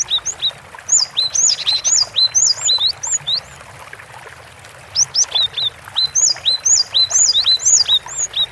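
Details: Cinereous tit in full gacor song: rapid strings of two-part whistled notes, a short lower chip followed by a higher slurred note, delivered in two long bursts with a brief silent gap between them.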